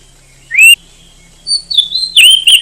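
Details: Oriental magpie-robin, a popular Indonesian contest bird, gives a rising whistled note, a pause, then a string of bright slurred whistles, over a faint low hum.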